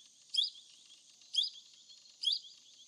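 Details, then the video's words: A Plum-headed parakeet recorded in the wild gives three short, shrill, high-pitched calls about a second apart over a steady high hiss of insects or background noise. "Plum-headed Parakeet Voice | Plum-headed Parakeet Call | Plum-headed parrot Call Sound Voice"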